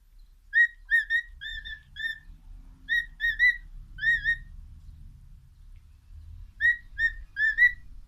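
A cockatiel whistles short, clear, slurred notes in quick bursts, pausing between phrases.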